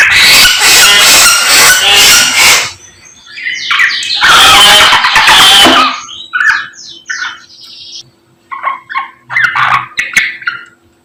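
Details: Samyong singing energetically in the morning: loud bursts of dense harsh chatter alternating with quieter runs of short varied chirps and rising notes, with a faint steady hum behind.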